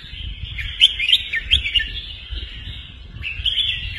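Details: Teaching song of a red-whiskered bulbul: a few crisp chirps and warbles early, a pause, then another short phrase, all over a continuous high buzz and low background noise.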